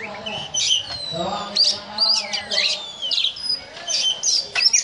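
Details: Oriental magpie-robin (kacer) in the 'ngobra' singing style, likened to a cobra snake. Bright whistled and slurred high notes alternate with harsh hissing bursts. A low harmonic voice-like sound is heard in the background around the first two seconds.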